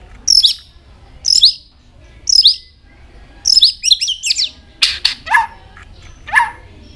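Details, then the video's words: Singing White-rumped shama, tail flicking continuously and voice switching often: high, thin twisting notes delivered about once a second, then a quick cluster of squeaky phrases, sharp clicks and lower downslurred whistles. "chòe lửa hót nhiều giọng đảo giọng đập đuôi liên tục"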